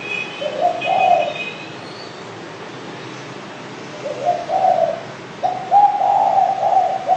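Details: Spotted dove (derkuku) calling in low muffled coos: one short phrase, a long quiet gap, then a second phrase and a longer rolling coo at the end.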